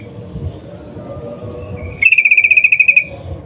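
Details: Female sooty-headed bulbul in breeding condition calling for a male: after quiet background hum, a single loud rapid buzzy trill of about fifteen evenly spaced notes lasting roughly one second.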